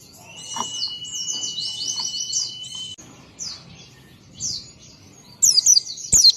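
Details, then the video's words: Oriental white-eye singing to provoke other white-eyes to respond: a long rapid twittering high warble over a steady thin whine, a pause, a few isolated descending slurs, then loud excited chattering twitters near the end. "Cukup 1 Menit Pleci Gacor Ini Memancing Pleci Lain Jadi Nyaut Bunyi"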